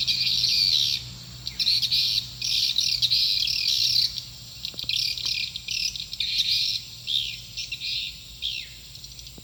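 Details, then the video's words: Swiftlet calls played to attract birds to a nest building: long runs of rapid, buzzy high chirping broken by short pauses, with a steady low hum beneath. "Suara panggill burung walaet"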